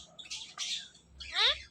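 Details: Pet Indian ringneck parakeet, a male, talking: a few short, nasal, speech-like syllables. The last one is louder, ringing and harmonic, and slides slightly downward.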